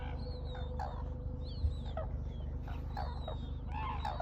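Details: Red-crowned crane giving brief, coarse, mid-pitched calls at irregular intervals. Thin high whistles from smaller birds run through the background over a persistent low hum.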